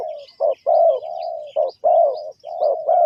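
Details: Spotted dove giving its call, linked to bird trapping: a steady low coo run of short punchy notes alternating with long level coos, almost without pause. Faint thin chirps from other birds.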